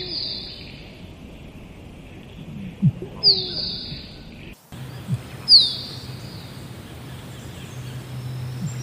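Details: Musk duck sequence of low thumps each followed by a high descending whistle, heard several times with a sudden shift in background noise midway.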